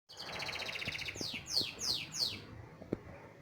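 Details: Canary song used for teaching young canaries to sing: a fast rolling trill of even, bead-like notes, then several sharp descending whistled sweeps, over a low background hum and faint clicks.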